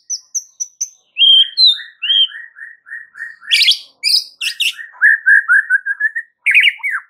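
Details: White-rumped shama (murai batu) singing a masteran, a model song used to prompt other shamas to answer: high thin whistles, a rapid run of even repeated notes, then harsh buzzy bursts and a rolling trilled phrase.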